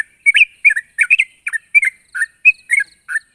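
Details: Sooty-headed bulbul calling a rival with loud, clear chirps: quick bubbly two- and three-note phrases spaced about every third of a second.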